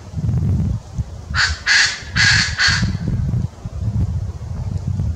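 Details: Koklass pheasant (Pucrasia macrolopha) crowing: four loud, harsh, guttural notes in quick succession over about a second and a half, with a steady low rumble of wind beneath.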